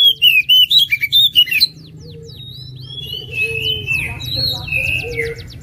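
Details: National champion oriental magpie-robin from 2021 contests in full song with fill-in material: a loud string of fast, looping high whistles in the opening seconds, followed by softer scattered chirps and slurred notes against a low humming background.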